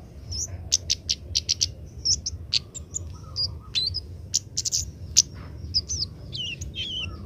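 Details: Young Oriental magpie-robin learning its song while being trained to start singing early. Rapid bursts of clicking, ticking notes mix with high whistled slurs and twisting phrases, uneven and halting, over low background rumble.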